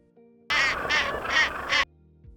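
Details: South polar skua, an Antarctic seabird: four loud, harsh, nasal calls in even succession over about 1.3 seconds, each a rasping bray, with soft music before and after.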